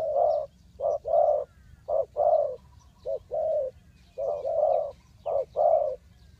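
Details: Loud, near spotted dove coos used to draw wild birds into a trap, Ninh Thuận: groups of a short note followed by a longer mellow coo, separated by brief pauses, soft chirps in the distance.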